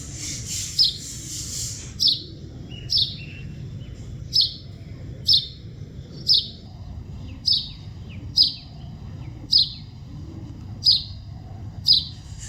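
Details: Natural bird chirping recorded in the wild. A single high, sharp chirp repeats roughly every second in an even series of about a dozen notes, with soft chatter faintly behind and a constant low rumble.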